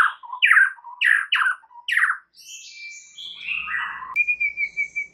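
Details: White-rumped shama song played as a lure to make another shama sing its full repertoire: loud rasping downward-sweeping phrases repeated about once a second, then gliding whistles and a sustained level whistle at the end.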